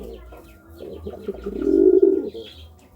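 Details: Courting pigeon: soft broken murmurs build into one loud, sustained low coo, with a faint thin whistle and a higher chirp from another bird in the background.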